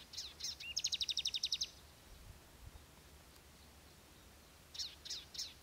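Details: Palestine sunbird, locally called sudud, delivering a loud, fast trill of about ten sharp high notes after a brief slurred lead-in; a quiet gap follows, then a few more clipped notes close the phrase.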